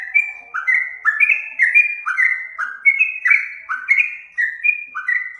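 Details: Yellow-vented bulbul kept as a caged songbird for home keeping or singing contests. It gives bright, fluty whistled phrases that dip and rise, repeated almost once a second in a lively, continuous run.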